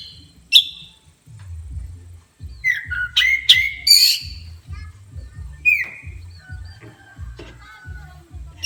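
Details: Oriental magpie-robin worked up by a horn sound gives scattered sharp whistles and loud squeaky, slurred high notes, with a few short downward flicks. A steady low thudding beat runs underneath.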